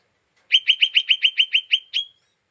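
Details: Lesser green leafbird (cucak ijo mini) giving its agitated 'ngeriwik' chatter, used as a lure to provoke other birds: about ten sharp, rapid chipping notes, roughly six per second, ending in one drawn-out note.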